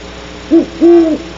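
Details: Great horned owl hooting close by at night, 2:30 am, at Starr Ranch near barn owls perched on a branch; a short low hoot followed by a longer steady one, deep and even in pitch, over faint electrical hum.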